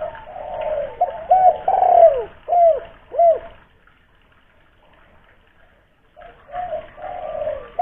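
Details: Local spotted dove from Kuningan, West Java, a lure caller with a big voice used to prompt other doves to call; deep cooing phrases of several rolling notes, a silent gap, then cooing resumes, with slight reverberation.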